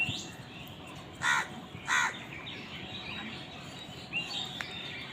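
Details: Two rough, grating caws roughly 0.7 seconds apart from crows fighting for food, with a fainter call later and steady ambient noise.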